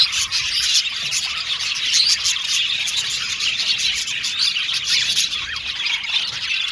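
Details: Several happy Australian budgerigars chirping, an unbroken high chatter of tweets and trills, many birds calling at once, with one clearer whistled note early on.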